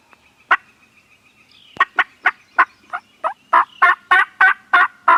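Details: Turkeys on a farm gobble into a Canon G7X camera: an opening burst, a short pause, then a long rapid rattle of harsh pulses that grows louder toward the end.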